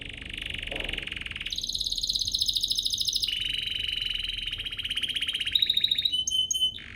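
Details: Canary lure song to make other canaries sing: a sequence of steady buzzy rolls, each a rapid trill at a different pitch, ending in short clear whistled notes.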